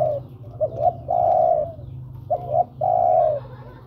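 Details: Spotted dove calling a female, used as a lure: two short, soft introductory hoots, then a long, smooth, mellow coo. The phrase is given twice over a steady low hum.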